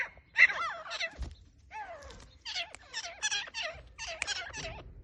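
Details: Grey francolin calling: harsh, harmonic notes with bending pitch. Early notes come singly after a pause. Later a rapid run of loud, similar notes repeats several times a second, with a few low thuds in the background.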